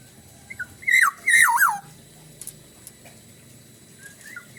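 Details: Black-naped oriole in Bali singing two rich, fluty, falling whistled phrases close together. Softer whistled notes follow over a low background rumble.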